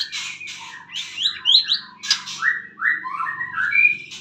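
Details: Morning song of a kept white-rumped shama: quick whistled notes that slide up and down, mixed with harsher squawky bursts, over a steady low hum.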